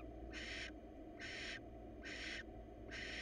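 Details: Wild barn owl pair before breeding, the female inviting the male to mate as the weather stays hot; four drawn-out, harsh breathy hisses, each under half a second, spaced about every 0.8 seconds, over a steady low hum.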